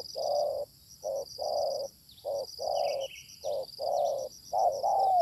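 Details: Wild, combative spotted dove answering a decoy during bird luring: steady series of rich coos, short and long notes in rhythm, strong and close, with continuous high-pitched insect trilling behind.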